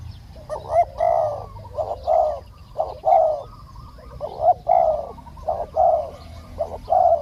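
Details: A decoy spotted dove calling to attract a wild bird with a small voice that took long to descend; a steady run of low, buzzy coo notes in pairs, roughly one per second, faint background chirping.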